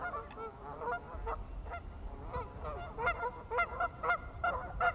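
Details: Swimming pied-billed grebe gives repeated short, harmonic, honk-like notes in quick succession, becoming louder and more regular toward the end, over low-pitched background noise.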